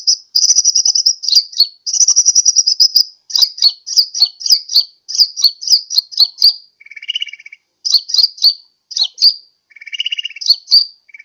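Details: Sunbird lure call for attracting birds, from Pajampangan, Sukabumi: high, rapid chirping trills in quick bursts, with slurred downward notes and lower buzzy rattles near the end.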